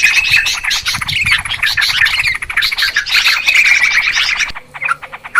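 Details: Noisy chorus of Yellow-vented Bulbuls, used as a lure for trapping birds: dense, overlapping bursts of bright chattering and bubbly notes, with short whistled phrases. It drops to sparse, quieter chips near the end.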